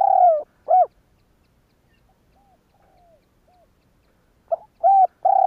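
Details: Spotted dove cooing, used to stimulate other doves into calling. A phrase ends with a long coo and a short arched note. Faint soft coos follow in the gap, then a new series of hollow coos begins.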